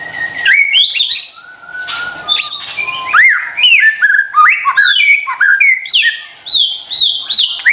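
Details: White-rumped shama song used as a lure for stressed or lazy singers: long string of clear whistled notes, rising and falling slurs and brief harsh accents, delivered almost continuously.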